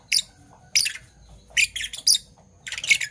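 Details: Two Fischer's lovebirds of Parblue Violet and Parblue Turquoise colour chirp in the morning, giving a few spaced, raspy squawking notes, some doubled, against a low background murmur.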